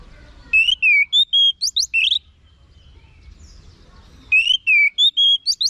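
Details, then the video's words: Orange-headed thrush tutor song. Two matching phrases of clear whistles and quick rising flicks are separated by about two seconds of silence, each phrase lasting around one and a half seconds. "Guru Vokal ANIS MERAH Agar Selalu Ikut Nyaut Ngeplong di Rumah"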